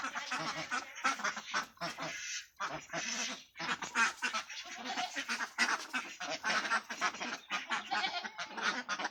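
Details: Crowded duck farm with a flock quacking in choppy waves, harsh nasal calls tumbling over one another with brief lulls between bursts.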